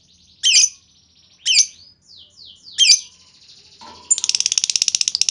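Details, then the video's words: Lovebird chattering used to provoke other lovebirds into long replies; three loud squeaky chirps about a second apart, softer descending notes, then a fast buzzing trill running to the end. "Pancingan Burung Lovebird Ngetik Bikin Lovebird Lain Ngekek Panjang!"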